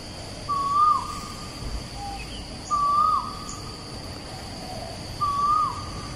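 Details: Asian koel singing at Bukit Batok East, opposite Bukit Batok nature park, Singapore, 14 September 2021: three clear rising two-part whistled notes about every two and a half seconds, faint distant birds and a steady high insect-like hiss behind.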